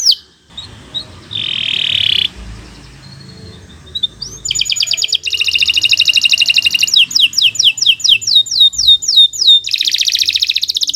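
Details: Canary (kenari) song for tutoring young birds; quiet start with a buzzy note and faint background noise, then rapid high trills and repeated descending whistled sweeps over the second half.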